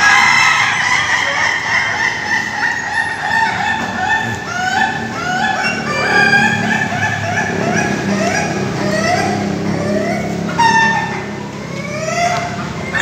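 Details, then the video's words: Ayam Ketawa, the Indonesian laughing chicken, crowing at a group training session in Bogor, Indonesia; many overlapping stuttering, rising-and-falling harmonic crow notes from several roosters continue throughout without pause. "latber ayam ketawa"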